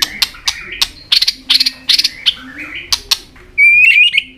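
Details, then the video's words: White-rumped shama giving harsh buzzy chattering notes and clicks, ending in a bright, sustained warbled whistle. "chòe lửa hót đánh đuôi.chòe lửa tạch kích bổi lên lửa hiệu quả"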